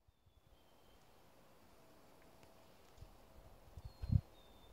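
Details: Ruffed grouse drumming in Washington, New Hampshire: after a quiet stretch, deep muffled thumps come faster and closer together toward the end, peaking in one stronger low beat, with faint thin bird whistles in the background.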